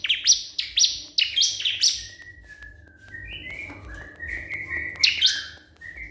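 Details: Crystal prinia calling a rival: rapid high chirps at the start, then softer thin level whistles and warbled phrases.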